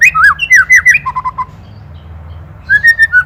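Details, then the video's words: White-rumped shama song as a training master: looping whistled notes and a few short repeated lower notes, a quiet gap of about a second, then a level whistled phrase resumes; steady low hum underneath. "MASTERAN MURAI | SHAMA BIRD INDONESIA"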